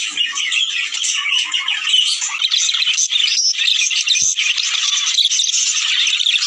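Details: Budgerigars, males and females, in a sound played to encourage mating: loud, unbroken chatter of squawks and twittering from a flock, with one soft low knock partway through.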